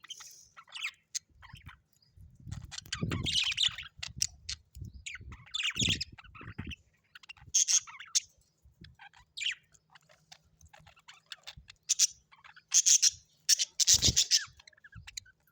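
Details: Budgerigars kept at home chattering in bursts of high, scratchy warbles and sharp squeaky chirps over fifteen seconds, with soft low knocks and thumps between phrases.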